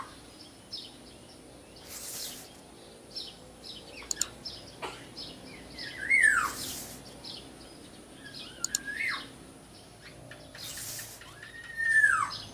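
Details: Small local Black-naped Oriole repeating slurred, arching whistles every few seconds, the clearest near the middle and at the end, amid scattered short chirps, clicks and bursts of hissing noise.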